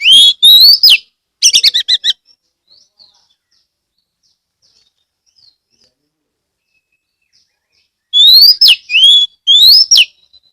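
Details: Oriental magpie-robin song from Ambal, Kebumen, Central Java, used as a lure to set other magpie-robins singing. Rising whistles and a rapid rattling trill open the clip, about six seconds of near silence follow, then a run of loud whistled phrases.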